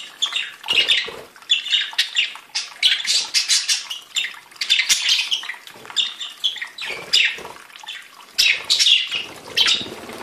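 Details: Chorus of several budgerigars singing, a continuous run of rapid scratchy chirps and warbled notes in short pulses, overlapping voices with hardly a pause.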